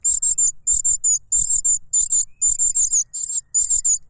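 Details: Hungry cuckoo chick squabbling for food from its foster father, which stuffs a butterfly into its mouth; rapid triplets of hissy, high-pitched squeaks, relentless and evenly spaced, faint low knocks behind.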